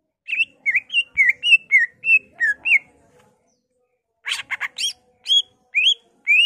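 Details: Greater green leafbird singing energetically, showing off mimicked phrases of magpie robin, laughingthrush, cililin, kapas tembak and canary. About eight clear slurred whistles, brief pause, then a burst of sharp chips and rising whistled notes.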